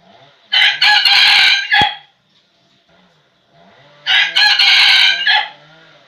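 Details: A decoy red junglefowl cock crows to lure wild males. Two loud, raspy crows come about three seconds apart. Each crow is a choppy burst of short segments, with a dry click between them.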